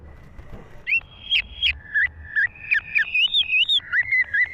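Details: Clear, ringing whistles from a green leafbird in lively song, each note a short looped slur, delivered in an even rhythm of roughly three notes every two seconds while the pitch steps between levels.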